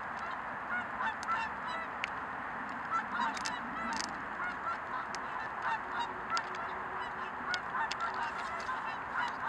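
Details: Whooper swans at West Haughhead, Blantyre give a dense chorus of honking, bugle-like calls, many birds overlapping in quick succession.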